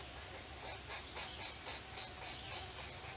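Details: Pileated woodpecker chicks in a forest nest cavity in Eastern Ontario, Canada, June 2019, begging for food from their parents: rasping, breathy bursts at roughly four per second, uneven in rhythm, with a constant low background hum.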